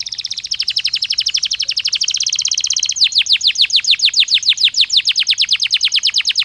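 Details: Stimulus song of a Belgian canary for training: a fast, even trill of rapid chirps that shifts at midpoint into slower, louder descending sweeping notes repeated about five per second.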